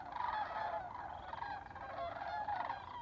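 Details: Sandhill crane flock in Albuquerque, New Mexico, as spring migration begins: dense overlapping bugling and rattling calls, several louder rolling notes rising above the steady chorus.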